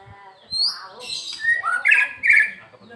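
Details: Short burst from a caged Medan-type white-rumped shama: a high rising whistle, rough chatter, then clear sliding whistled notes ending in two loud, rich phrases.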